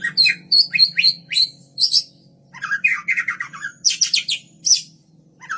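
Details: White-rumped shama, captive-bred Kaur type, singing as a lure for other birds: a varied run of sharp chips, buzzy rattles and high whistled phrases with short pauses between sections.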